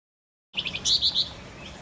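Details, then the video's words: Male Javan white-eye in full, energetic song. After a moment of silence, a quick, high twittering run of short chirps gives way to a few louder warbled notes, and the song stops abruptly. "Suara burung Wergan Jawa‼️ FLAMBOYAN JANTN GACOR"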